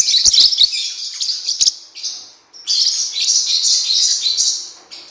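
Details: Cuiubinha or blue-winged parrotlet singing, a training recording for birds: rapid, scratchy, high-pitched chatter with a few sharp clicks at the start, a brief pause near two and a half seconds, then sustained twittering.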